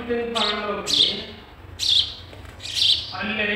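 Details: Sparrow chicks being fed in their nest, three sharp noisy chirp bursts spaced about a second apart, between them lower harmonic sounds like a voice.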